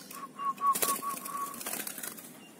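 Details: Tame local zebra dove (perkutut), hand-raised from a chick and now singing freely, gives a quick run of about seven short, clear, mid-pitched cooing notes in under two seconds, with rustling and clattering underneath.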